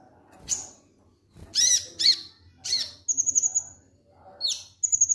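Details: Konin lovebird singing ngek-ngek style, meant to provoke singing: harsh, raspy high chirps separated by short gaps, then two rapid, buzzy high trills of evenly pulsed notes.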